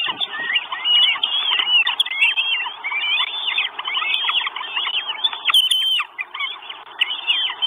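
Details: Begging from four Northern goshawk chicks in a nest in Estonia, 1 June 2022, live nest camera; continuous shrill squealing whistles with upward and downward slides, a brief higher chirp near the end.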